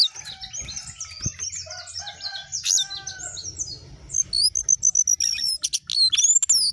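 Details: Jongkangan in active song with rising and falling phrases: a steady twittering warble gives way to loud rapid high whistles and sharp chirps, roughly four notes each second near the end.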